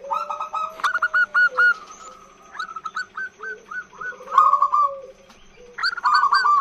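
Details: Female zebra dove with a long call used to attract males: quick strings of clear bouncing whistled notes blending into rolling trills, several bouts, with a lower sliding tone and a constant rhythmic hum behind.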